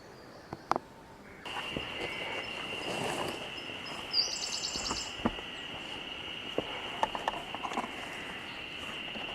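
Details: Wild Siberian blue robin singing in Togakushi Forest Park, Japan, on 24 May: a short, fast burst of high repeated notes near the middle, over a steady insect-like drone and constant outdoor noise.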